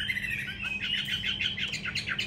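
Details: Caged hwamei, a trained fighting bird kept indoors upstairs, singing a continuous run of varied warbled and whistled phrases at mid-high pitch, with a steady low hum in the background.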